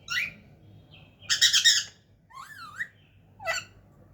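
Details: Talking parrot giving a harsh squawk, a dense noisy burst, a wavering whistled rise and fall, and a final short screech, all within four seconds, with low indoor hum.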